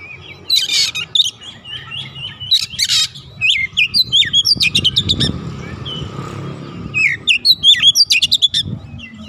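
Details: Caged oriental magpie-robin (kacer) singing long runs of quick whistles and sharp chatters, with a passing vehicle rumbling in the background midway.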